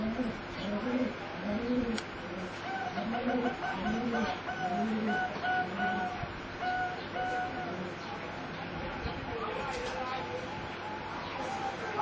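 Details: Singing zebra doves of a competition line, bred for about 60 years from a wild mutation to sing unique songs unlike wild birds, give soft, rolling strings of staccato coos in repeated bursts, with higher clear whistled notes and other birds calling behind.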